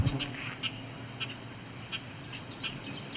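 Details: Male Bobolink, up a tree at a field edge near cattails on July 17, 2019 near Cape Chin North, Ontario, gives short, sharp notes about every half second. They are deeper than nearby Red-winged Blackbirds and sound annoyed as he looks down at the observer. Low wind rumbles underneath.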